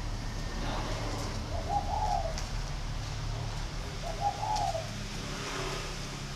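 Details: Spotted dove in a cage giving two fairly faint coo phrases about two and a half seconds apart, partly masked by a loud, steady low-pitched hum.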